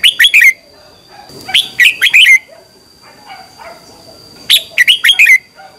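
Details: Red-whiskered bulbul morning song, used as a decoy song for training other birds: three bursts of loud, fast whistled notes around two to four kilohertz, each phrase of four or five slurred notes, with pauses between; a steady high electronic tone underneath.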